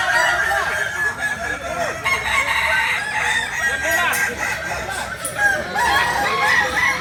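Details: Solok native Kukuak Balenggek chickens from West Sumatra give loud, sustained, multi-part crows that overlap one another, alongside scattered clucks and a noisy crowd of fowl.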